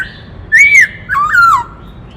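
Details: White-cheeked laughingthrush, 'kích trống' singing: two loud clear whistled phrases, the first arching up and over, the second dipping, lifting, then gliding downward.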